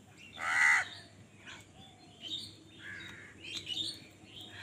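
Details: Angry house crow fighting wild birds for food, giving one loud harsh caw near the start followed by quieter chirps and squeaks from other birds over a low hum.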